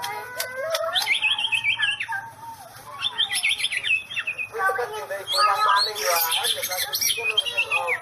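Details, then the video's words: Energetic White-rumped shama song in the "sambaran listrik" style, meaning electric strike: high, clear whistled notes in clipped, stepped phrases, then a dense, chattering jumble of sharp high chips and squeaky notes. "Murai mengeluarakan sambaran Listrik"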